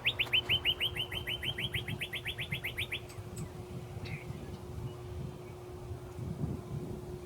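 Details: A male Northern Cardinal at Largo Central Park Nature Preserve, hidden from view, sings a fast run of about eighteen clear, down-slurred whistles over three seconds, then falls quiet over a steady low hum.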